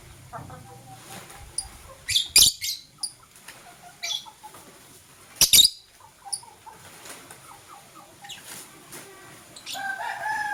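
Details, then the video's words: Morning chirping of blue and green lovebirds, a few sudden shrill bursts separated by long quieter stretches of soft twittering, ending in a brief tonal note. "True Love Blue LoveBird - Green LoveBird Chirping Sound"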